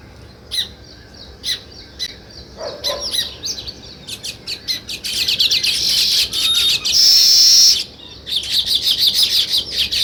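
Sparrows chirping: bright, high chips and twitters, scattered at first, then a dense, busy chorus of many birds overlapping.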